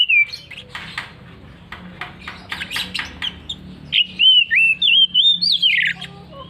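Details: Oriental magpie-robin singing forcefully, opening with scratchy chattering notes and then switching to a run of bright whistled notes that rise and dip in quick succession.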